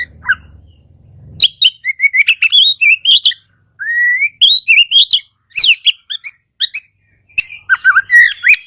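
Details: Oriental magpie-robin song used as a lure for birds of its kind that sing little. A faint low rumble is followed by a varied, energetic series of rising whistles, high chips and scratchy warbles.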